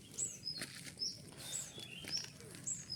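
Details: Newly caught male Javan white-eye, captive and being tamed while learning sounds: thin, very high chirps and short whistled notes scattered every half second or so over a steady background hiss.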